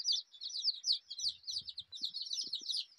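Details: Brightly coloured rainbow chicks of a native desi chicken breed peep constantly in a crowded, shrill chorus. Short falling chirps overlap with no gaps, and faint low knocks sound underneath.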